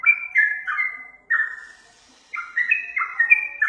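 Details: Yellow-vented bulbul, song used for luring birds; a few slurred whistles, a pause of about a second, then a fresh burst of quick, stepped whistled notes.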